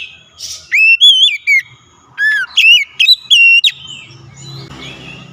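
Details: Oriental magpie-robin lure song to make a silent bird sing, a lively series of loud whistled notes with rising sweeps and level tones, followed by softer background rumble.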